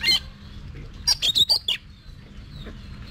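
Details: Oriental magpie-robin held in a cage and trained for singing contests, giving a sharp opening note, then a quick series of five loud clipped whistled notes, with a faint low hum behind.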